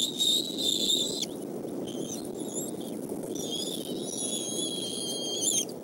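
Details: Eagles at the Decorah nest during the evening meal on 17 May 2014, when the male brings fish for the young: high, thin whistled squeals with wavering harmonics, one long note then several held tones, over steady low rumbling background noise.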